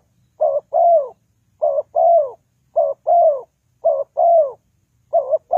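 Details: Spotted dove whose call serves as a trapping lure gives mellow two-part coos, a brief wavering note then a drawn-out descending one, five phrases in a steady rhythm with nothing else audible.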